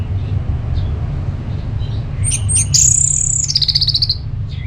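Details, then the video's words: Orange-headed thrush in the ngeplong song style, played to stir other birds to sing: a few high thin whistled notes, then a clear sustained whistle with a falling, trilled ending, over a steady low hum. "ANIS MERAH LOYO Bakal SONTAK NYAUT GACOR dan EMOSI dengar Kicauan Ngeplong ini"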